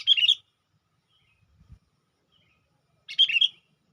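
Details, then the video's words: Lure sooty-headed bulbul calling wild bulbuls: a quick chirpy burst at the start and another near the end, separated by near silence with a brief low knock. "suara burung KUTILANG PIKAT gacor/PIKAT KUTILANG memanggil kutilang liar"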